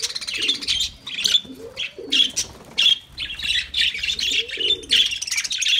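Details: Lovebirds chattering in a near-continuous stream of high, buzzy chirps and whistled squeaks, broken by brief gaps, with low cooing notes now and then.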